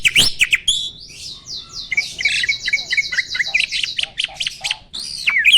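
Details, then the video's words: Adult male Asian pied starling pumping in breeding condition; after sharp clicks, a long buzzy, grating phrase runs for about two seconds, followed by scattered chirps and a closing whistled note. "BURUNG JALAK GACOR MOMPA-MOMPA!!! JANTAN TULEN."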